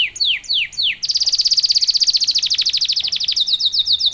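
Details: Canary singing to provoke other canaries: three slow descending slurred notes, then a fast dense trill of rapid repeated high notes, ending in buzzy rolling phrases.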